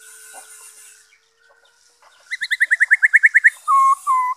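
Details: Black-throated laughingthrush, 5 May 2021: a quick run of about a dozen evenly spaced whistled notes, then two longer, flatter whistles, after a quiet start.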